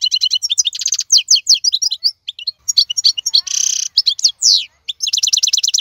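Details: Wild European goldfinch of the 2022 season singing a fast twittering song: rapid runs of clipped high notes, buzzy rasping bursts and downslurred whistles in quick succession, with brief pauses between phrases.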